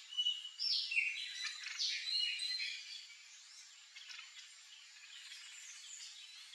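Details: Yellow-chevroned parakeet in a backyard with fruit, calling in loud bursts of sharp, scratchy chirps during the first half, then trailing off into fainter scattered chatter.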